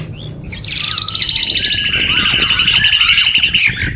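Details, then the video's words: Caged white-rumped shama from Medan, Indonesia, for tutoring other songbirds, giving a long high rattling trill that drops to a lower sustained buzzy trill, after a quiet start with low hum. "Murai Batu gacorrr garansi 99%//masteran"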